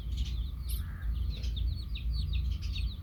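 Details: Baby chicks beside a hen cheep continuously in high, sliding little notes, several overlapping, over a strong deep rumble.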